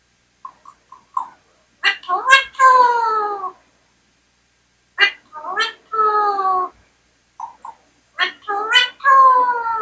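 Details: Indian parrot talking indoors, uttering words like "mithu": three clipped speech-like phrases, each starting with sharp clicks and ending in a drawn-out nasal harmonic tone, spaced about three seconds apart.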